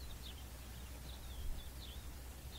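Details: In May 2023 at Wadi Malha in the Jordan Valley, a preening blue-cheeked bee-eater gives faint, high, rolling downslurred calls about every half second to second, over a steady low wind or traffic rumble.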